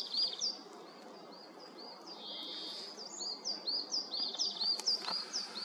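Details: European greenfinch at a forest feeder in early morning on 29 March 2023, with bullfinches and hooded crows around, gives quick, high, arched chirps about two a second, with a brief drawn-out note in the middle, over a steady background hiss.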